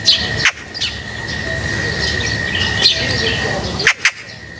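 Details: Birds at feeding time give scattered high chirps with a few sharp clicks and taps; a constant tonal hum runs underneath throughout.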